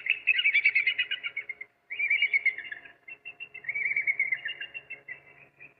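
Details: African crowned eagle (Stephanoaetus coronatus) call: high, ringing whistled notes in quick runs of about five per second, broken by brief pauses, with no other sounds.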